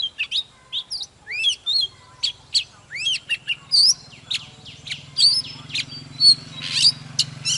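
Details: An old wild-caught Oriental magpie-robin sings an excited morning song while displaying, recorded to rouse other magpie-robins. Rapid sweeping whistles, upslurs and sharp chips alternate with sustained whistled notes. A low steady hum runs underneath in the second half.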